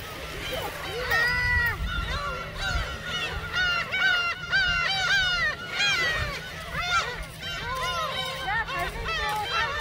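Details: A crowd of gulls at Seonjaedo island, South Korea, being fed shrimp crackers, calling almost nonstop: dense overlapping nasal, arched mewing cries, many birds at once, with a low steady hum beneath.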